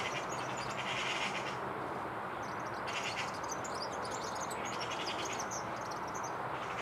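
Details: European serin singing while perched a few metres away, unafraid though it could see the recorder; high, thin, fizzy jingling notes scattered through the clip, overlapped by harsh chattering bursts from magpies and crows.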